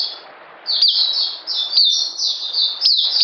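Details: After a brief quiet start, an oriental white-eye (puteh) breaks into bright, high twittering phrases, slurred notes linked closely in a lively burst.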